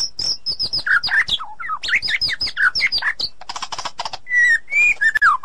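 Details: Wild white-rumped shama in forest, a female calling the male; a loud, rapid, varied medley of sharp whistled and buzzy notes, falling slurs and rattling bursts, ending in clear sliding whistles.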